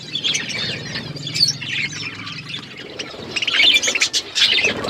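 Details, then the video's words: Budgerigars feeding, giving bursts of high, scratchy chirps and chattering warbles, quieter in the middle and busier toward the end, over faint rustling. "Beautiful budgies parakeet eating food birds chirping sounds"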